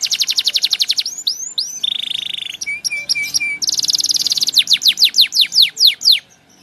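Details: Male canary song sung for training chicks. A quick high trill gives way to a lower buzzy rattle and a few short clipped chirps. A fast bright trill returns, then slows into spaced downslurred notes.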